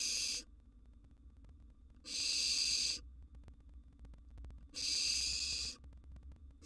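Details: Wild barn owl nestling in a nest box, fed a sizeable gerbil, gives three long, steady hissing screeches about two and a half seconds apart in otherwise quiet surroundings.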